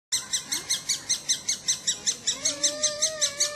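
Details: Woodpecker, recorded in 2007: a fast, steady run of harsh, rasping high notes, about two and a half per second, each a short broadband burst. Faint lower whistled tones rise and fall underneath.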